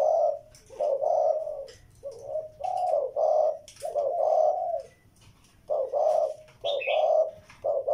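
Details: Spotted dove cooing in low, breathy two-part phrases, a short note then a drawn-out one, in irregular runs with a short gap; one brief high chirp from another bird.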